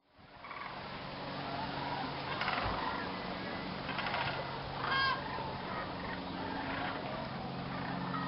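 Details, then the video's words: Thousands of Sandhill cranes gathering in a viewing field at dusk before roosting, stopping over at Jasper-Pulaski Fish and Game Preserve, Indiana; a continuous dense wash of rolling, overlapping calls from the huge flock, with a few louder bursts. "Sandhill Cranes Go to Swamp Hotel for the Night"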